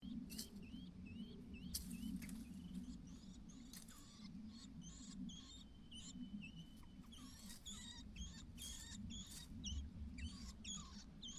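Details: White-browed laughingthrush on fledging day, as the mother calls her only chick out of the nest: short high chirps, often rising or hooked, come in loose clusters over a steady low hum, with scattered clicks and rustles.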